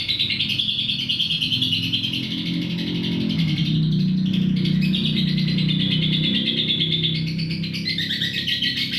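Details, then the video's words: Lovebird master song in the long ngekek style, meant for other birds to imitate: a sustained rapid high trill over nine seconds, with a steady low droning hum and tonal sounds underneath. "Lovebird ngekek panjang"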